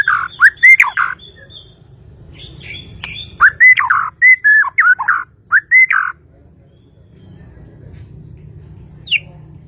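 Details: Murai batu from Kalimantan, a white-rumped shama, delivering two short bursts of loud, fluty whistled notes with sharp clicks, separated by a pause, then falling quiet apart from one last high note over faint hum.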